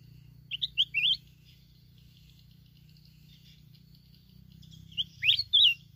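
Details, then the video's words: Wild red-whiskered bulbul in the mountains of Bình Thuận, Vietnam, recorded during bulbul trapping with a decoy bird. It gives two bursts of short, bright, warbled notes, one near the start and one near the end, separated by quiet. A low steady hum runs throughout. "chào mào núi Bình Thuận"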